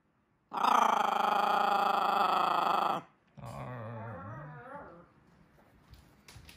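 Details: A female macaw growls while eating an almond: a loud, harsh, raspy growl held about two and a half seconds, followed by a quieter, lower, wavering grumble.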